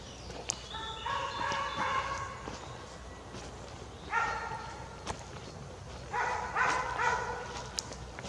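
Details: Young jay out of the nest in a forest gives three bursts of nasal, harmonic squawks about two seconds apart, over a low background hum with a few sharp clicks.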